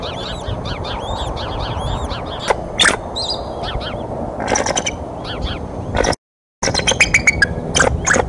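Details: A mother eagle's outburst at the Decorah nest, 30 March 2015, surprising both eaglets: thin, slurred chittering notes in quick series, then harsher rattling bursts, over constant low rumble and a brief dropout.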